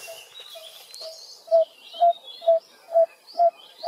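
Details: Coppersmith Barbet at Wat Phuttabucha temple grounds, Bangkok, in the morning, gives a steady run of about nine hollow, low 'tuk' notes, roughly two a second, like a metalsmith hammering copper; faint twittering of other birds above.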